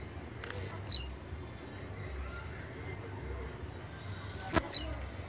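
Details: Two sharp, high-pitched buzzy phrases from a blue-black grassquit, each falling in pitch and lasting about half a second, nearly four seconds apart.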